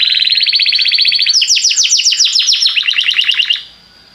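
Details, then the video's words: Belgian canary singing to prompt other canaries to sing: a rapid even trill that jumps up into a sweeping rolling phrase of quick falling notes and then stops abruptly, leaving quiet. "O canto do canário belga faz com que seu canário cante sem parar"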